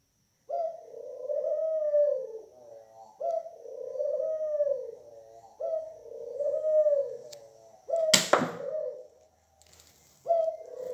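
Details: Repeated low rolling coos from a pet Barbary dove, four phrases of about two seconds each, with a sudden loud noise burst before a fifth coo begins.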